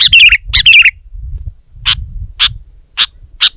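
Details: Loud sooty-headed bulbul song meant to outdo a rival: two bubbly warbled phrases, then single clear chirps about every half second over a low rumbling background.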